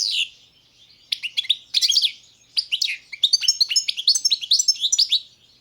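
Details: Competition-entry goldfinch of the subspecies carduelis balcanica, 2022 world championship: an opening whistled note, a pause, then a lively run of twittering, chirping and warbled notes that continues to the end.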